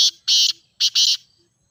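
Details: Grey francolin (teetar) call used for training caged birds. Two loud, harsh, buzzy double notes, each pair a short note followed by a longer one, about half a second apart.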